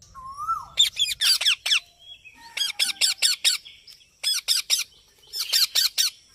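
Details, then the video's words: A green parrot gives harsh, rapid squawks in bursts of four or five notes, pausing between bursts, with a brief whistled note near the start. "Mithu Ki Awaj"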